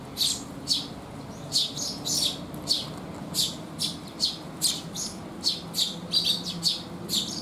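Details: Several sparrows arriving to be fed on a rainy June day in 2021 give a lively run of about fourteen sharp, high chirps, roughly two per second, with a soft low background rumble.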